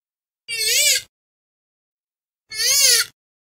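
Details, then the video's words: Purple swamphen giving two loud, nasal, wailing calls about two seconds apart, each rising then falling, against a silent background; the call is used to lure the birds for hunting. "কালিম পাখির ডাক । Purple Swamphen Bird Call"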